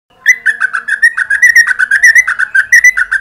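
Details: Sooty-headed bulbul, recorded in the morning as a lure to prompt long song: a fast, unbroken run of bright, bubbly chirps, about six notes a second, mid-pitched and slightly wavering, with nothing else heard.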